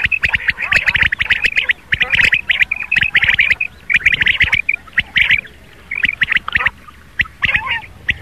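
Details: Rain quail calling at dawn, a recording meant to lure quail for hunting; busy runs of quick, scratchy clicks, several callers possibly overlapping, continuing throughout.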